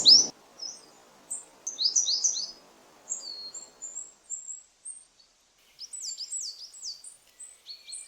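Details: Coal tit (Periparus ater) in the Nordic region, singing high, thin, quick two-note phrases repeated in short bursts, a loud piercing "beepety beepety beep"; a soft knock opens the clip over faint hiss. About 60,000 pairs in Finland.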